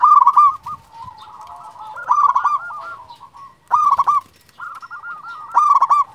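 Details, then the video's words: Local champion zebra dove cooing, short loud bursts of rapid stuttering notes separated by quieter trilled phrases from other doves, about four strong bursts over six seconds. "Perkutut lokal gacor Juara memanggil"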